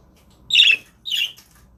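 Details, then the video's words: Male budgerigar guarding the eggs gives two quick rasping squawks half a second apart, the second softer, against a quiet room. "Dad dont want me close to the eggs"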